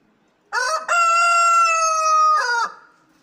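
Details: A rooster gives one loud crow lasting about two seconds: a short rising opening, a long level sustained middle note, and a brief falling ending, with silence around it.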